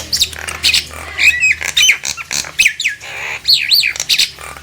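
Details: Nias hill myna singing to provoke quiet mynas into answering, with harsh clicks, squawks and clear whistled notes bending up and down in a zigzag pattern.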